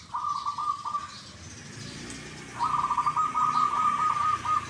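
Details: Perkutut (zebra dove) singing its "kuk, kuk" type song: a short purring trilled coo, a pause, then a longer steady rapid-pulsed coo phrase, with faint background rumble.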